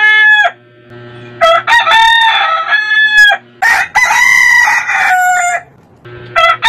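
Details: Crowing roosters of heritage chicken breeds: short crow endings and two longer, loud crows, the later one harsh and wavering, with a low hum between calls.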